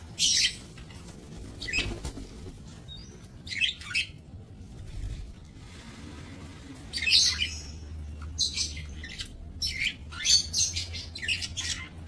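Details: Budgerigars bred in a minimalist aviary, 28 November 2024; scattered bursts of high scratchy chirps separated by quiet gaps, about nineteen bursts a minute, with a steady low hum underneath.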